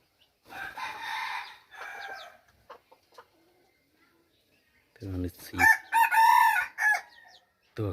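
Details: Red junglefowl decoy bird, recorded in 2021, giving harsh clucking calls, then a pause, followed by a loud crow with strong harmonics and further clucks.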